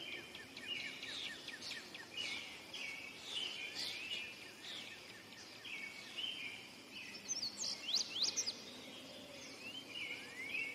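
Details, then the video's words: Indigo bunting delivering a long run of crisp, high, sliding notes, some doubled, in repeated bursts, with a persistent insect buzz throughout. "Indigo bunting song / call / sounds"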